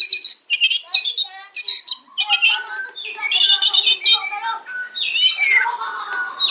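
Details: White-rumped shama delivering a dense, loud kretekan fighter song with sharp fill-ins to rile rivals: a fast, continuous jumble of chattering, buzzy and whistled notes with almost no gaps.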